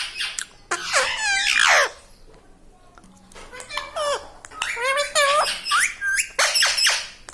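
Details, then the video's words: Pet talking parrot indoors, said to mimic words like "Mummy" and "Papa"; a run of high, voice-like squeaky syllables with sliding tones, two bursts separated by a quiet gap, in a small room. "Talking Parrot"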